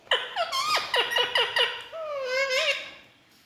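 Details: Pet Indian ringneck (rose-ringed) parakeet talking nonstop to its reflection in a mirror indoors: a rapid series of squeaky, voice-like syllables sliding downward, then a long wavering nasal note, in a small room.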